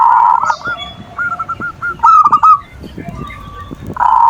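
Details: Perkutut, the zebra dove, singing its manggung coo, used to bait rival birds' emotions and passion: rapid stuttering coo notes in short runs, with a louder burst in the middle and sustained tones at start and end; some background clatter.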